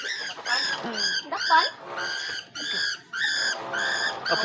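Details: An apparently stray cockatiel that was caught gives harsh, screechy calls in quick repeated bursts, with some human voices beneath.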